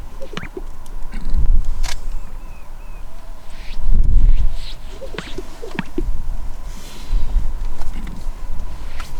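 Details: Greater Sage-Grouse displaying at the Henefer Lek, Utah, around 7 a.m.: males squeeze air from their chest pouches to make booming swells and sharp popping plops every few seconds to attract mates, with only three to five hens present. Heard over a steady low rumble and a few faint chirps.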